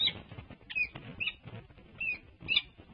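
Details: Peregrine falcon at a livestreamed UC Berkeley nest on March 30, 2024, calling during a nest changeover as the male urges his mate to leave for a break. There are five separate grating, slightly rising notes about half a second apart, with soft rustling below.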